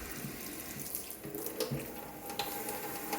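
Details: Steady running water from a kitchen tap with a few clicks and clatters, and no animal voice.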